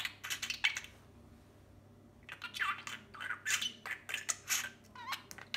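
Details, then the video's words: Pet parrot indoors making sharp squawks and chattering, speech-like squeaks in short bursts, with a pause midway and a rising whistled note near the end. "Funny Talking Parrot"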